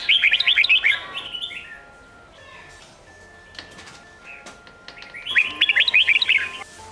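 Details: Red-whiskered bulbul performing Sông Kôn style song for training young birds. A long, rapid, bubbling warble opens, then a pause with a few clicks. A second fast, lively warbled phrase follows, with faint sustained tones behind.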